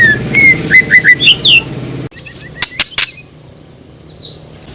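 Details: White-rumped shama lure song to goad other shamas: a quick series of short whistled and slurred notes over a low hum, then abrupt quiet with a few loud clicks and faint distant notes.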